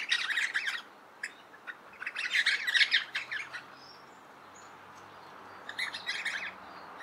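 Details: Two pairs of Crimson (Adelaide) Rosellas in a eucalypt, Littlehampton, South Australia, July 2021, chattering during a tail-wagging display by a possible nest hollow; scratchy, buzzy chatter in three separated bursts with quiet gaps.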